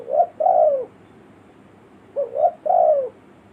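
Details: Spotted dove calling in a village setting, used as a lure for wild birds: two cooing phrases, short clipped notes leading into a sustained, falling mellow coo, separated by a brief pause over a quiet background.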